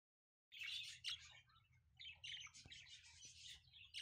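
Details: Budgerigars (Melopsittacus undulatus) at a breeding farm of about 60 pairs in Hubli chirp and chatter in quick, scratchy bursts of high warbling notes.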